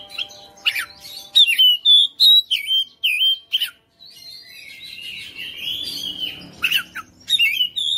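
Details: Fighter-type kept Oriental magpie-robin in full voice: quick sequence of sharp whistled notes and clicks about three per second, a brief pause, then a long warbling phrase and more bright whistles.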